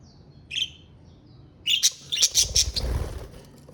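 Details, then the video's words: Pet budgerigar giving a short high chirp, then after a pause a quick burst of sharp, bright chirps and squeaks. Faint low rumble underneath. "Parakeet sounds to relieve stress and relax"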